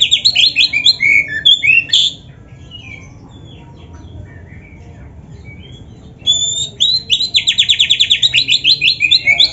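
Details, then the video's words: Oriental magpie-robin of the black-breasted form (kacer dada hitam), an energetic singer with canary-like fills. Varied high whistled notes open, then silence for about four seconds, then a long run of rapid buzzy repeated notes. "MASTERAN KACER GACOR FULL ISIAN MEWAH KENARI⁉️ || BURUNG KACER DADA HITAM COCOK buat PANCINGAN‼️"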